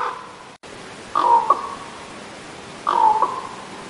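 A raven gives two hoarse, low croaks about two seconds apart, each a short harsh note with a slight break, over a faint steady hiss.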